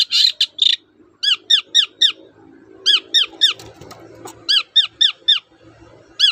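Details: Long-tailed shrike (cendet), used to coax silent shrikes into singing, giving harsh notes then repeated clear, downslurred squeaky notes in groups of three to five, with faint background rustling.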